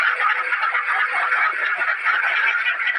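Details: A crowd of caged ducks quacking loudly over one another in a dense, steady chatter of raspy, nasal calls with no pause.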